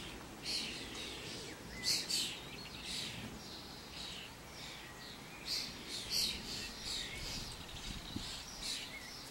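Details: Common starlings in a flock walking about, giving harsh wheezy chatter in irregular bursts, some doubled, over loud rumbling background noise.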